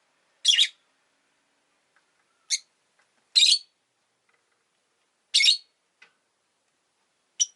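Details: Rosy-faced lovebirds, a pair of pets sitting close together at an entrance, utter loud rasping shrill chirps spaced about two seconds apart, with faint soft notes in between.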